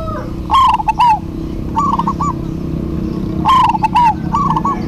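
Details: Pair of local zebra doves in duet: loud rolling coo phrases alternate with softer distant answers, repeated about every three seconds over a low humming background.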